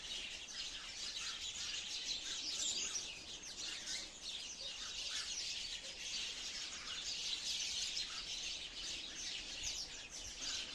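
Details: Sparrows chirping steadily for about eleven seconds: dense, high, overlapping short chirps and tweets with no pause, as from a busy group, over a faint outdoor hiss.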